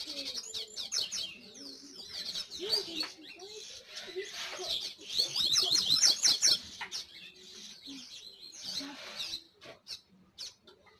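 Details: Double-collared seedeater singing a lively run of high, sharp chirps and slurred notes, quickening into a rapid buzzy trill midway, with brief low background noises.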